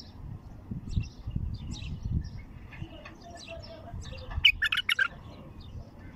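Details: A wild, untrained bulbul, singing for the first time, gives a run of bright, liquid whistled notes rising to a burst of quick chirps near the end, over low rumbling background noise.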